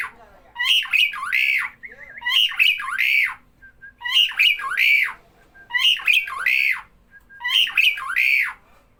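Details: Starling calling whenever people are near: grating, buzzy squawks in paired bursts, each rising then dropping, repeated about every two seconds, five bursts in a row, with a quiet background.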